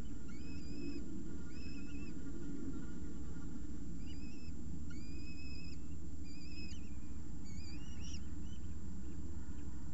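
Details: Peregrine falcon nestlings home alone with an egg at Orange on 28 September 2018 call repeatedly: a series of high, thin, slightly wavering whistles, some rising at the end, every second or so, over a continuous low rumble.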